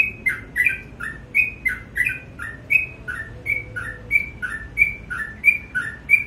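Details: Sooty-headed bulbul calling busily in the morning, its clear whistled notes paired so each higher note slides to a lower one, about three pairs each second, against a quiet low hum.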